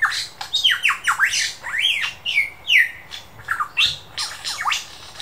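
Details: Superb lyrebird at Dandenong Ranges Botanic Gardens mimicking local birds plus what sounded like a laser gun and camera shutter: a rapid medley of rising and falling whistles, harsh squawks and zapping laser-like sweeps.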